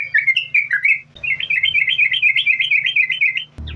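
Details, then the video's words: Chatty yellow-vented bulbul singing in a continuous rapid-fire style, played as a lure to make other bulbuls sing: fast looping whistled notes, about four per second, with a short break, over a steady low electrical hum. "Trucukan Gacor, Sambung Ropel,Ini Ampuh Buat Pancingan Trucukan Agar Bunyi"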